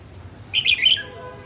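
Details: Female red-whiskered bulbul, northern bird, singing one quick liquid phrase of several clear whistled notes dipping and rising, over faint low hum.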